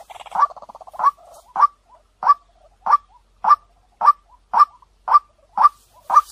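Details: A white-breasted waterhen lure recording, described as clear-sounding and fast to attract: an opening rapid purring trill, followed by a steady series of loud, abrupt croaks, close to two per second, with faint soft notes between them.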